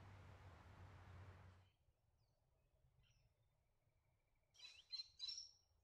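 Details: Little wattlebird (Anthochaera chrysoptera), a noisy heath and coastal-woodland nectar feeder, gives three quick harsh, raspy notes with a thin whistled edge near the end, after a burst of rumbling wind noise.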